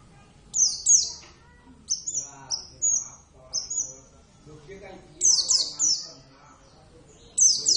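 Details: Kept Javan Oriental white-eye in full voice: rapid run of sharp, high descending chirps and short level whistles, some in quick clusters, with muffled speech in the background.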